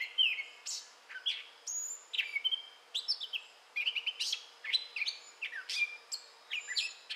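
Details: In southwest Michigan during May 2011, a gray catbird pours out a rapid, rambling song of mixed squeaks, slurred whistles and harsh chips, each short phrase different from the last, almost without pause.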